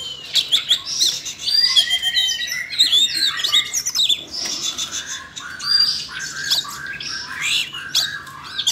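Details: Siberian rubythroat singing, set off by training sounds played for a young bird: a rapid, continuous run of varied high chirps, twitters and short whistles with quick jumps in pitch and brief pauses, carrying on throughout without a break.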